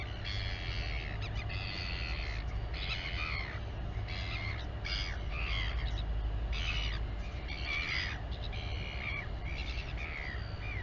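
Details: Royal albatross mother feeding her chick at the colony on Taiaroa Head near Dunedin, New Zealand, filmed by a live nest camera; harsh, harmonic squawking bursts repeat steadily through the clip over a constant low wind rumble.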